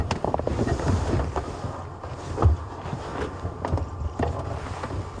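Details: Steady low rumble of a moving vehicle and wind buffeting the microphone, with scattered knocks and clicks and no animal voice.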